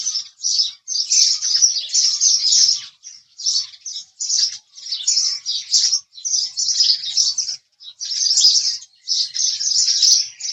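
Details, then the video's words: House sparrow chirping, steady and busy: bright, grating chirps repeated in quick groups, nearly continuous, with only a few brief gaps. "house Sparrow Chirping Sound"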